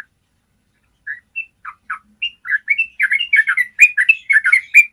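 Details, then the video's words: Yellow-vented bulbul training song in the long 'ropel' style: scattered single warbled notes at first, then building into a dense, fast, bubbly stream of chirpy phrases over a silent background. "Masteran ropel panjang suara jernih bikin trucukanmu jadi rajin ropel"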